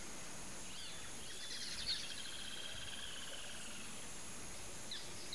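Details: A pair of white-faced whistling ducks (irerê) calling: faint, high, thin whistles drawn out over about three seconds, some notes sliding, with a steady background hiss and a faint constant high tone.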